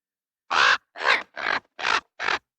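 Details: Five raspy, broad-toned raven calls in quick succession, each under half a second, rough and grating with little tonal quality.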